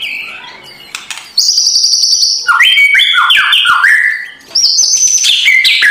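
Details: White-rumped shama singing loud, busy morning song with harsh rattling kretekan notes, used to provoke a lazy shama into singing; bright sustained whistles and quick downslurred phrases stepping between high and middle pitches.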